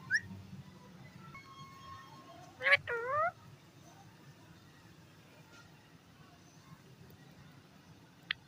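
An Indian ringneck parakeet talks in one brief burst of two quick, harsh, voice-like syllables with falling tones. The rest is quiet hiss with a faint click near the end.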